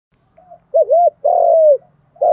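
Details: Spotted dove cooing, male and female, in the thúc gù, gù đấu manner used to excite training birds: two short arched notes, then a long drawn-out level coo and the start of another.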